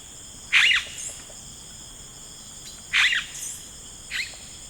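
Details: Yellow-rumped cacique in rainforest giving loud, harsh, bursting calls with liquid overtones, three separated outbursts each followed by a softer echoing note, over a steady high insect drone.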